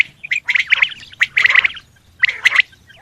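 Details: Male Coturnix quail calls come as a few scratchy, chirping bursts with bright whistled pips, then a short pause and a final burst, over a faint low background hum.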